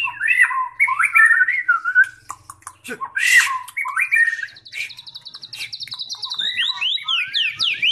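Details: White-rumped shama in training for a singing contest, pouring out a continuous varied song: slurred whistles, quick chattering trills, a rapid buzzy rattle and sweeping high notes, with faint low background hum.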